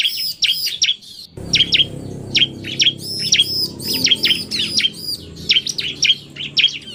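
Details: Male bar-winged prinia in narung style mixed with a quick female: bright, piercing chirp notes in quick succession, a brief lull after the first second, then steady repeated chirping over a soft low background drone.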